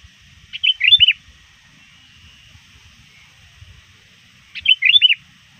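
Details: Sooty-headed bulbul lure bird, trained to call often, calling rivals shortly before dusk: two short bubbly warbled phrases about four seconds apart, with faint low knocks between.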